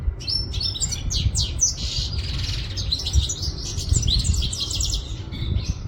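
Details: European goldfinch of Quetta singing a rapid jumble of high chirps, twitters and a brief buzzy note, continuous and energetic, with low rumbling noise beneath.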